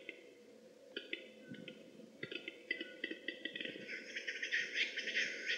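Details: A displaying male Western capercaillie at a lek gives dry clicks that run into a hissing, grinding whetting phrase.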